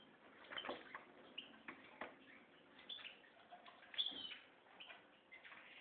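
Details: Goldfinch mule of red mosaic white colouring, kept for breeding, giving scattered chirps and brief twittering phrases with a few clear whistled notes.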